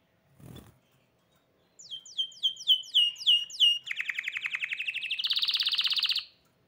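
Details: Song of a hybrid canary. After a soft low thump, a chain of sliding whistles falls repeatedly, then moves into a dense buzzy trill and a loud rattling roll before stopping abruptly.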